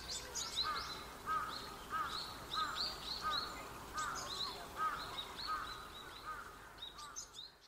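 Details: Japanese tit recorded on 29 November 2015, giving song and calls before feeding on tree berries; repeated two-part phrases about every seventy hundredths of a second, a high note followed by a lower ringing one, steady through the recording.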